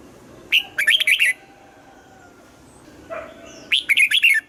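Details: Morning song of a red-whiskered bulbul being trained toward double-note, forest-aged style: two bright chirping phrases of four or five quick whistled notes, separated by a few quiet seconds with a softer call between.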